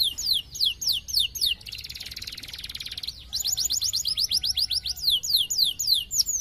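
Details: Canary lure song meant to draw responses from other canaries: quick repeated descending sweeps in trilled runs, broken by a dense buzzy rattle lasting over a second, then renewed rapid rolling trills.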